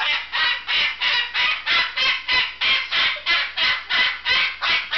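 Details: Male Moluccan cockatoo screaming in a steady rhythm, loud grating broadband calls repeated about three times a second without pause, each harsh and even in length.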